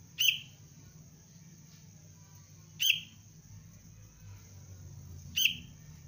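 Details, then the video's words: A young sooty-headed bulbul in basic lure training gives three abrupt, bright chirps, each a quick downward-trailing note about two and a half seconds apart, with a constant thin high tone and faint low hum behind. "Anak kutilang pelatihan dasar untuk pikat Cengkram"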